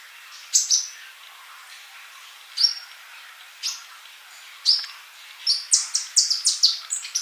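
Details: Male olive-backed sunbird singing, offered as a model for silent young birds; several spaced, sharp high notes with downslurred whistles, then a quick closing flurry of bright chirps.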